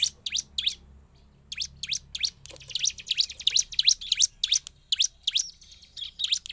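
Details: Bar-winged prinia in lively song, used as a lure to provoke other prinias into singing; rapid bursts of sharp, high chirped notes, about three per second, broken by brief pauses, over a faint low hum.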